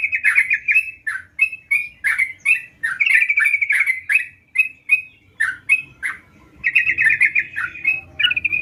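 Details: Sooty-headed bulbul singing energetically in gacor fashion, mixing short bright chirps with rapid trilled runs of notes. Phrases come in quick succession with brief gaps, over a quiet low background hum.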